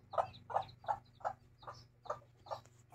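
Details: Hen with chicks gives short, evenly spaced clucks, roughly three per second, with soft higher chick peeps between them over a low steady hum.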